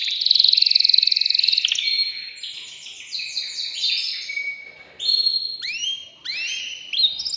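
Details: Male canary song meant to excite a female before breeding: a rapid buzzy trill, then layered warbling tours and clear upward-sweeping whistled notes repeated near the end.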